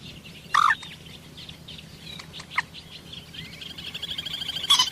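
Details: A common moorhen gives two loud, abrupt croaking notes, one near the start and one at the end, with softer chirps and a high rapid twittering between them.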